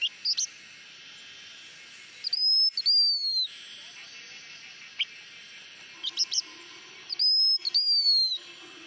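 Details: Blue-winged minla repeating its lure song twice, each a high sustained whistle run into a slightly falling whistle, separated by short sharp chips and scattered soft notes.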